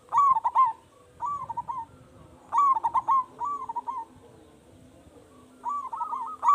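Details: Local zebra dove in eager song with a large voice, played to draw replies from other doves. Loud staccato coo bursts followed by softer lilting phrases, repeating in roughly three-second cycles.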